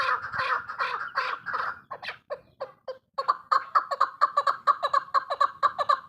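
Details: Female chukar partridge: harsh, blurred clucks at first, a short faltering pause, then a crisp, even series of chuk notes repeated roughly twice a second.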